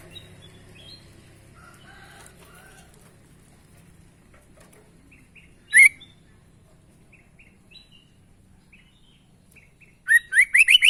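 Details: Sooty-headed bulbul, vocal and giving unusual sounds: scattered soft notes over a low hum, a sudden sharp burst midway, then a quick run of four loud rising chirps at the end.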